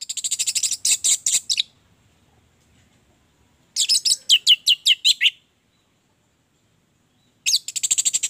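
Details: Song of an orange-headed thrush, played as a lure for others: bursts of very high, rapid, scratchy chattering notes alternate with a lower run of clear falling whistles, separated by pauses.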